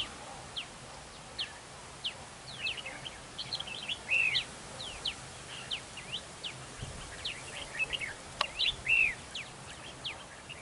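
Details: Red-whiskered bulbuls in a territorial fight at a trap with a decoy bird: a long series of quick sharp chirps and repeated arched whistled phrases, with a click midway.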